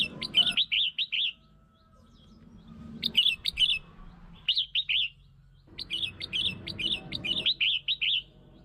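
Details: Red-whiskered bulbul song to lure and provoke birds: repeated phrases of four to seven lively, slurred notes in quick succession, with pauses of a second or two between phrases and faint low noise.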